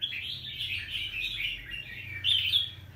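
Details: Short burst of song from a wild-caught young red-whiskered bulbul, recorded 25 December 2023. Quick tumbling chirps are followed by a louder, brighter closing phrase.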